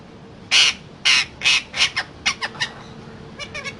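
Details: Parrot giving three loud harsh squawks, then a quicker sequence of shorter raspy notes and soft clicking chatter toward the end.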